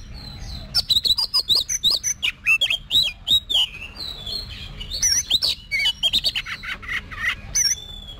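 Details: Oriental magpie-robin, a kept songbird trained for singing competitions: fast, rhythmic runs of sharp clicks and looping whistled notes, continuing almost without pause, with a faint steady background hum.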